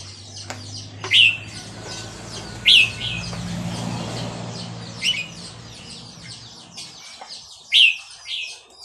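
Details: Red-whiskered bulbul, Burmese type, recorded at Dan Singkhon: loud, clear whistled phrases spaced a couple of seconds apart, with soft twittering in between and a steady low hum in the background.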